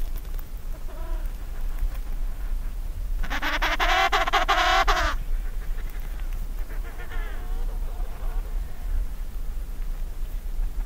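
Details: Distant calls from emperor penguins huddled in a colony as eggs begin hatching: a strong, rich, pulsing trumpeted call lasting about two seconds, with fainter answering calls before and after, against constant wind noise.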